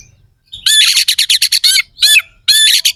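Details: Contest-style kacer (Oriental magpie-robin) singing coarse, sharp 'nembak isian kasar' phrases meant to provoke rivals: after brief silence, a dense burst of loud rasping notes, a short gap, then another harsh burst.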